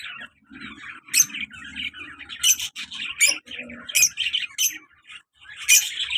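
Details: Active pet lovebird pair, colour male and black-mask female: continuous soft twittering punctuated by sharp, high screeching chirps roughly every second, with a faint low hum underneath.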